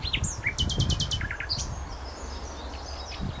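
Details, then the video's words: Songbird singing near Feldberg in Mecklenburg-Vorpommern on 27 May 2011: a quick phrase of high whistled slurs and a rapid buzzy trill, then short descending notes, with softer distant birdsong and low rumbling background noise. "Wer singt da?"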